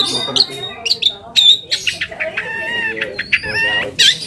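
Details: Long-tailed shrike singing as a provoking lure for other shrikes: clear high whistled notes and bent, sliding tones mixed with harsh bursts and a drawn-out tonal phrase, delivered in a jerky, varied sequence.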